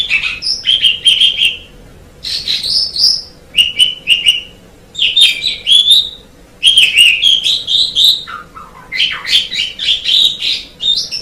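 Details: Tutor recording of an Asian pied starling: lively phrases of bright whistles mixed with harsh, clicking chirps, broken by short pauses, ending in a lower dipping note and a rising flourish.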